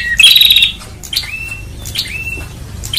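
A prinia gives loud, buzzy chirps with sharp ticking notes, one burst roughly every second, high-pitched and insistent.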